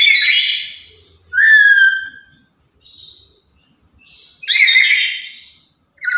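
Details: A talkative, loud lory used as a master bird for other lories mixes harsh broadband squawks with a clear, slightly rising whistled note. Short squawks follow in quick succession.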